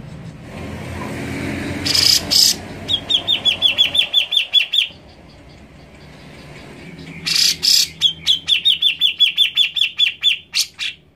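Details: Grey-cheeked bulbul song, played to coax a reluctant caged bird into singing: a rapid run of short bright notes repeated about twice a second, in two bouts, with loud rustling bursts and low background rumble.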